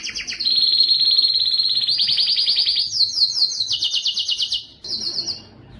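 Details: Canary song to stimulate male canaries: long even trill, then faster rolls stepping higher into rapid chirping bursts, a brief gap, and a final short high trill.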